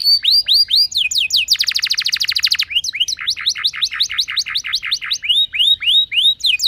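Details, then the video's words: Canary in full roll, used to prompt other canaries to sing: curved whistled notes, a very fast buzzy rattle, then a long run of steady repeated rising-falling chirps. "Burung Kenari Lain Bakal Langsung Ikut Gacor Ngerol Mewah Dengan Pancingan"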